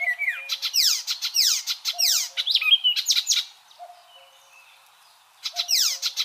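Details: Icterine warbler song used as a training model for other cage birds: varied chattering phrases mixing harsh high sweeps, buzzy notes and short whistled tones, a pause of about two seconds, then resuming.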